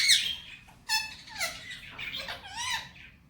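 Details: Pet male Indian ringneck saying Hindi-Urdu phrases indoors: a loud raspy opening burst, then three or four clipped, voice-like syllables with bending tones, squeaky and nasal, in quick succession.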